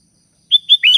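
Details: Calling to companions, a Sooty-headed bulbul gives a brief run of three clear whistled notes, the last dipping and then rising in a short liquid flourish.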